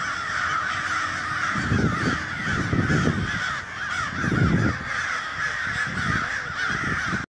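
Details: Large crow flock cawing in a dense overlapping chorus, joined by repeated deep thumping bursts, before the sound cuts off abruptly.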